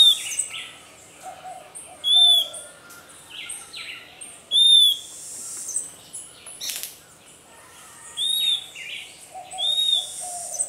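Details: Puerto Rican flycatcher, a bird endemic to Puerto Rico, defending its nest against a predatory pearly-eyed thrasher: sharp, high upslurred whistled notes at irregular intervals among buzzy chatter, with a loud crackling thump from the attack midway.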